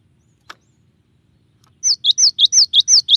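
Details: Gelatik batu, or cinereous tit, singing a clear tembakan-style song. After one sharp tick comes a fast run of about eight ringing two-part whistles, each gliding down from high to lower, evenly spaced about four per second.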